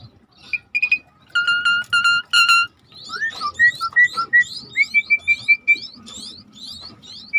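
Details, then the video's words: Starling singing vigorously, used as a training recording for songbirds: bright whistled notes and sharp chips, then a run of rising slurred whistles and a repeated steady high whistle, with faint low background murmur. "the sound of the starling suret gacor masteran"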